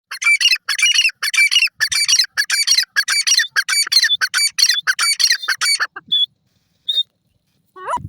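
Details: Grey francolin in Pakistan giving a loud, harsh call of rapidly repeated broadband notes in tight clusters, about a hundred notes per minute for six seconds, then a few isolated squeaky notes with near silence between them.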